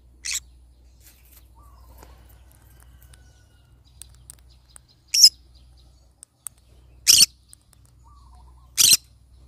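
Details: Pineapple conure parrot making four brief, rasping screeches at uneven intervals, separated by stretches of near silence and a few soft clicks.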